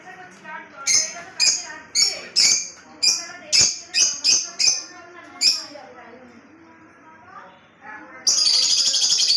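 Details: Lovebird kept in Kolkata, giving a run of about ten sharp, high chirps, each short and clipped, in an uneven series over five seconds, then a steady buzzy rasping hiss near the end.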